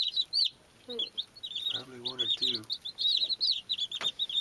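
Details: Young chicks at play, peeping in quick high chirps with a short gap near the start, low rasping clucks in the middle, then more bursts of overlapping shrill cheeps.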